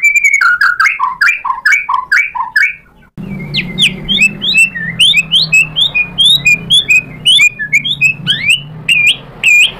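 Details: White-rumped shama song meant as a lure to stir a rival into answering, with rhythmic repeated whistled notes, a short gap, then a fast series of sharp chirped slurs over a low background hum.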